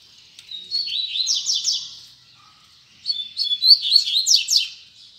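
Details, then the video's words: Tui tui zel zel song of a Double-collared seedeater: two bright bursts of rapid high slurred notes, each ending in a few fast sweeping chips, separated by about a second of silence. "Coleiro Tui Tui Zel Zel"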